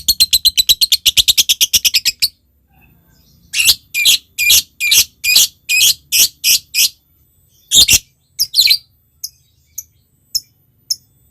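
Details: Lovebird calling a rival: a fast high chattering trill for two seconds, a pause, then a string of about ten harsh screechy notes, a few louder squawks and scattered faint ticks.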